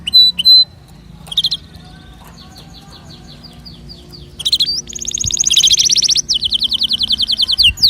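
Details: Canary song to prompt other birds to sing: scattered chirps and a soft repeated note series, building into a loud, fast rolling trill and repeated bright notes.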